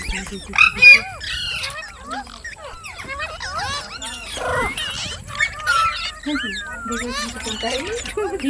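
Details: Parrot mimicking speech: dense babbling of bending, whistled syllables and rising-falling glides, with a sharp high squeal near the start and chattering phrases throughout.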